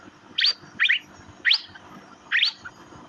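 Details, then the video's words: Four short, sharp upward chirps from an Asian fairy-bluebird (cucak biru), each a quick bright burst spaced about half a second to a second apart, with low background hiss. "Birds Cirphing Master Sound Effect Cucak Biru/Irena Puella"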